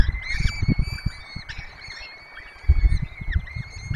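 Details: Peregrine falcon nest in Poland's Barycz Valley, filmed by webcam while four chicks are fed: a steady thin wailing tone runs almost throughout with brief rising notes, under dull knocking and scuffing noises.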